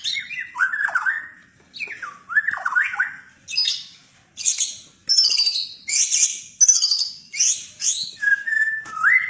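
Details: White-rumped shama, a 'fighter' bird with varied fighting styles, singing loud, varied phrases: slurred whistles, rising and falling notes and harsh, buzzy bursts, with short pauses between bouts.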